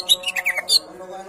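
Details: Short burst from a champion greater green leafbird: five or six quick, sharp chirps and slurred whistles rising and falling within about a second, over a faint steady hum.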